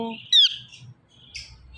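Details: Rose-ringed parakeet, a pet talking parrot, gives one sharp high squawk, then a softer, higher, harsh note after a pause.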